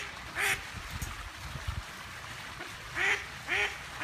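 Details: Chattering female duck giving three harsh, nasal quacks, one early and two close together near the end, separated by a stretch of low background rumble and faint noises.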